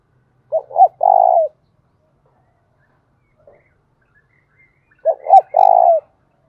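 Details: Decoy spotted dove used to call in wild doves repeats its coo twice, about four seconds apart, each time two quick hoots and a long rolling note, in an otherwise quiet setting.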